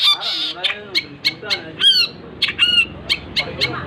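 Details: Long-tailed shrike singing energetically: a lively run of sharp, high whistled notes with rich overtones, mixed with lower harsh, nasal phrases and short chattering bursts.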